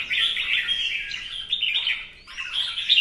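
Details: Red-whiskered bulbul in a singing-competition display, fanning as it sings. One continuous run of rich, chattering, warbled notes that dips briefly near the end, then climbs again to bright whistles.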